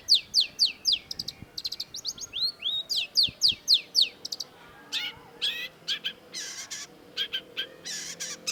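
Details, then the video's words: Long-tailed shrike giving a quick run of repeated descending whistled notes, about four per second, then harsher buzzy and rattling bursts in the second half. "MASTERAN CENDET DURASI PANJANG || Long-tailed Shrike"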